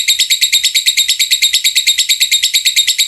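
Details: Lovebird giving a long ngekek trill, used as a tutor recording for other lovebirds to copy: a fast, steady run of high, buzzy chattering pulses, about two per second, continuing without a break.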